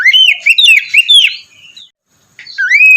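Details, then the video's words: Oriental magpie-robin (kacer), morning lure song: a rapid run of looping whistles for about a second and a half, silence, then one long rising-and-levelling whistle. "terapi pagi cocok untuk mancing kacer malas bunyi agar cepat gacor"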